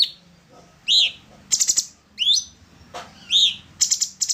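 An orange-bellied leafbird sings bright, sliding whistled notes, mixed with quick runs of harsh, scratchy chatter, in a lively and varied phrase.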